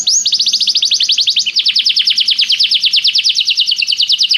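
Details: Canary singing a tutor song for training other canaries: a fast, even trill of short high notes that shifts at the midpoint into a slightly slower, broader series of rising-falling notes, continuous throughout.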